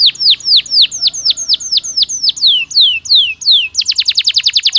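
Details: Canary singing to stimulate breeding activity: a run of loud, repeated, sharply falling whistled notes, a few slower and longer, ending in a rapid trill of short notes.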